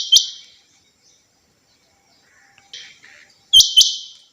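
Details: Female rain quail, the chinga batair kept as a hobby bird, with one opening double call, a softer fragment midway, and a final loud paired call of sharp clicks and ringing buzzy tones.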